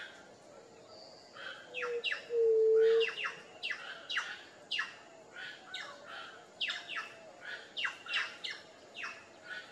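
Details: White-tipped dove (Leptotila verreauxi), known locally as juriti-pupu, gives a single low, steady hooting note lasting under a second, standing out amid a busy chorus of sharp, descending chirps from other birds that repeat throughout.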